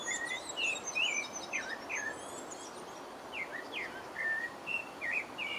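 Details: Singing pale-breasted thrush in French Guiana, with quick sliding whistled notes, some sharply falling, in an uneven series; higher thin twitters from another bird overlap at the start and insects hum faintly.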